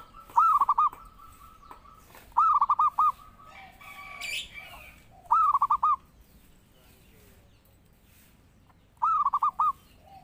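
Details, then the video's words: Zebra dove (perkutut) singing vigorously, a recording used as a lure and master call for training birds; four phrases of quick, looping staccato coos, each phrase of about five notes, roughly every two to three seconds, with quiet background rustle. "Pancingan Burung Perkutut Gacor"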